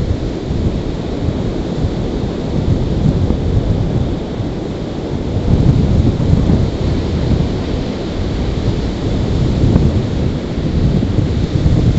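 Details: Low, steady rumbling of wind and distant thunder with rain, and no animal calls to be heard.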